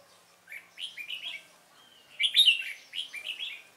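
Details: Decoy red-whiskered bulbul singing during trapping to lure and provoke wild rivals; two clear bursts of quick, bubbling whistled notes, each a string of four or five rising-falling slurs, separated by a short pause.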